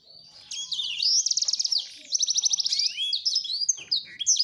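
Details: Male black-throated canary courting a female: sweeping whistles lead into fast rattling trills, two long trilled stretches followed by varied chirps.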